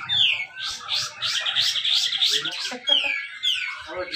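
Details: Competition grey-cheeked bulbul from Malinau, North Kalimantan, Indonesia, singing a dense song used as a lure for lazy birds. Loud bright warbling phrases merge into one another, and sharp descending whistled slurs break in near the end.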